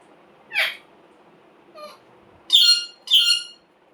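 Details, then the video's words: Green parrot, said to talk: a rough screech, a soft short chirp, then two loud harsh squawks about half a second apart, each with a steady tonal edge, in a quiet indoor setting. "Parrot natural sound #Aisa bolane wala tota nahin dekha hoga"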